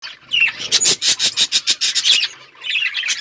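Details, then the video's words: Budgerigar flock in an outdoor aviary: rapid run of sharp, clicky chirps, about ten a second, mid-clip, framed by softer warbled chatter at the start and end. "budgies chirping sounds"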